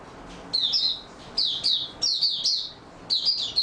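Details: Oriental white-eye on 28 February 2022, singing in stable form: quick bursts of thin, high chattering notes, each a fast cluster of down-slurred chirps, coming in close succession.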